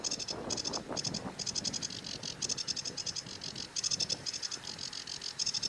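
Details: Sedge warbler delivering a continuous stream of grating, rattling chatter with quick buzzy trills, while lower-pitched croaking pulses sound faintly beneath.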